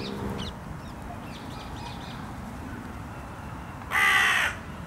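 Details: Carrion crow in a park, one of a noisy pair being fed cashew and Brazil nuts, gives a single loud harsh caw near the end after faint distant calls and quiet background.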